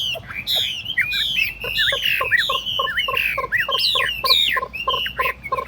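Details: Caged Chinese hwamei, tame and fault-free, singing in a hand-carried cage set on a table: a rich run of loud whistled phrases, sweeping slurs and quick repeated notes with bright rising and falling turns.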